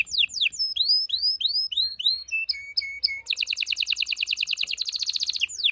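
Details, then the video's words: Canary singing to prepare females for mating: a string of clear upslurred whistles, a few short flat notes, then a dense high rapid trill lasting about two and a half seconds. "غناء طائر الكناري لتحفيز و تحضير الاناث و الذكور للتزاوج"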